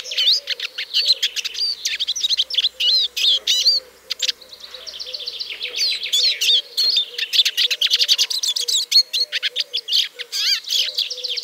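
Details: Eurasian siskin, a small black-and-yellow finch, singing a long fast twittering song of high chirps, trills and rising-falling whistles, with a brief softer wheezy stretch midway, over a faint low steady hum.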